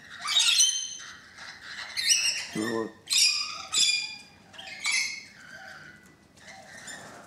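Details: Rainbow lorikeets gathered on a balcony, thirteen birds, keep up a stream of rasping, piercing squawks and chattering screeches, with a brief human voice in the middle.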